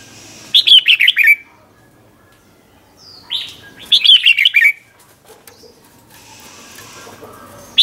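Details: Red-whiskered bulbul, '100 Achip' doubled song played to train young birds: two rapid, bubbling runs of warbled notes about three seconds apart, then a softer high whistle and quiet background.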